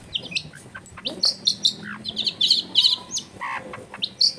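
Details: Caged long-tailed shrike sound used to coax a lazy bird into song; dense, harsh chattering notes and buzzy bursts, fast and irregular, with some low household noise beneath.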